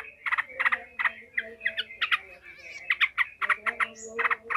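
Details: Enraged Yellow-vented bulbul cackling emotionally to train other bulbuls for fighting: a dense run of harsh, stuttering chatter notes in quick clusters, with a faint whistled note near the end.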